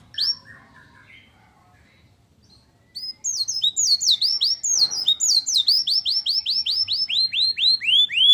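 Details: Canary with white-eye (pleci) style song used to excite other birds; a few scattered chirps and a pause, then a loud burst of quick, bright descending notes repeated about three times a second.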